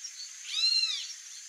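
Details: White-rumped monjita giving a single arched, slurred whistled note, rising then falling, over a steady high hiss.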